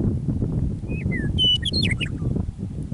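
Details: Meadowlark song on an Alberta prairie near Michichi Dam, Drumheller, Canada, on an early spring evening after winter: two sliding whistled notes lead into a quick bubbling cascade of bright warbled notes, with a low wind rumble beneath.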